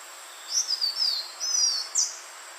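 Green iora giving four thin, high whistled phrases in quick succession, some sliding downward, over a steady soft background hiss.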